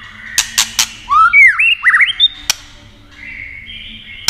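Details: White-rumped shama song for stimulating other shamas: three loud clicks, then swooping whistled phrases rising and falling, a single snap, and a soft high sustained tone.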